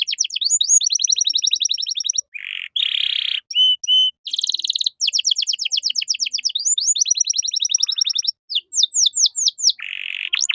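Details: Domestic canary's training song in cengkok mewah style, meant as a master for other caged songbirds. It mixes long rapid trills of rising notes with buzzy harsh bursts, short pure whistles and a broad rattling phrase. No background noise.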